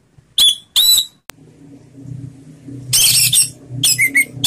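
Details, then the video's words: Orange-headed thrush in slow 'ngeplong' song, used as a lure to prompt other birds to sing: short loud bursts mixing clear whistles with harsh, scratchy phrases, separated by brief pauses over a faint indoor hum. "Suara Anis Merah Ngeplong Slow"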